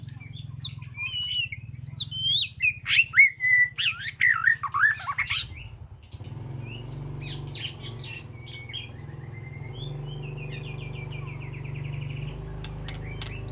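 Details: Caged white-rumped shama in a peaceful aviary sanctuary, calling to its flock: about six seconds of rich, varied whistled phrases with sliding and rapid-fire notes, then fainter scattered chirps and a short trill over a steady low hum.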